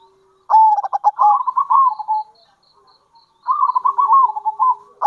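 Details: Lure call of a local zebra dove, kerot and bekur type: two extended trilled coo phrases with a quick stammering start and an even rolling run of soft notes, separated by a second of silence.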